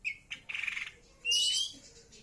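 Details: Greater green leafbird in full song: a few short whistled notes, a fast buzzy stuttered phrase, then a loud, harsh, sweeping high note.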